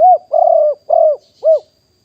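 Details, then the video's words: A wild spotted dove used as a decoy, recorded live in 2021, delivers four clear, mellow coos: a short one, two long sustained ones and a short closing note. "นกเขาใหญ่ป่าเต็ม100% บันทึกสดเสียงต่อนก2564"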